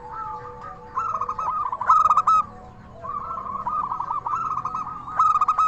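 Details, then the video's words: Zebra dove of local stock with a crystal-clear voice, singing as a lure to draw replies from other doves: two phrases of soft rolling coos, each ending in a rapid run of sharp, ringing notes. "Perkutut Lokal Gacor SUARA KRISTAL Ahlinya Bikin Semua Burung Perkutut Langsung Nyaut"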